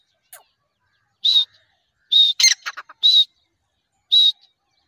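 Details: Grey francolin (Ortygornis pondicerianus), call.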